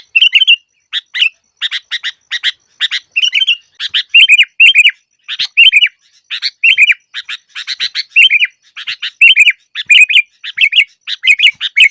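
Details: Sooty-headed bulbul used as a trapping lure, giving quick bursts of harsh chirps alternating with bubbly, down-slurred whistled phrases, repeated in short groups with brief pauses and no other sounds.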